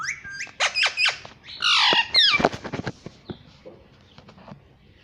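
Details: Pet Indian ringneck parrot indoors, said to be saying "mummy": a rapid run of sharp, high squawking notes, then a louder harmonic, voice-like phrase, a few clipped chirps, and fading quiet notes.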